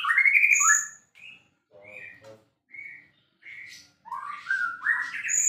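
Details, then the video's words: Varied white-rumped shama song: clear whistled notes separated by short gaps, then a rapid rising and falling flourish with a thin high note at the end. "relaxing Bird sounds murai gacor juara"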